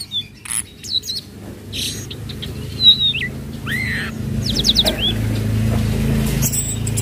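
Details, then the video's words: Flowerpecker (tledekan laut) lure call for training birds: scattered high, thin whistled chirps and quick hooked or trilled notes over a steady low rumbling background noise. "Pancingan Bunyi Tledekan Laut trotol Cocok Untuk tledekan Bahan"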